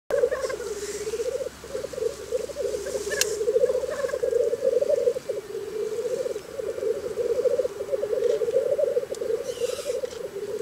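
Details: Black grouse in Scotland on a very cold morning, giving a steady low bubbling, cooing warble that runs almost without break. Short hissing bursts and faint higher bird notes sound now and then in the background.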